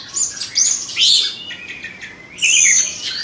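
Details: A caged two-season Oriental magpie-robin of Indonesian stock gives two loud bursts of high whistled and scratchy notes separated by a quieter gap.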